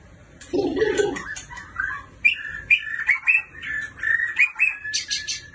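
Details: White-rumped shama from a neighbouring country: a brief low rough note opens, then clear whistled phrases around mid-pitch alternate with sharp high chirps in an uneven rhythm.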